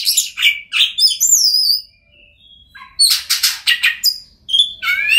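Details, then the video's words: Oriental magpie-robin song for encouraging mute magpie-robins to sing; sharp varied notes and falling whistles, a near-silent pause of about a second, then loud rapid bursts and rising whistled notes. "Kacer Bisu, Dijamin Bunyi Setelah Mendengarkan Suara Kacer Ini"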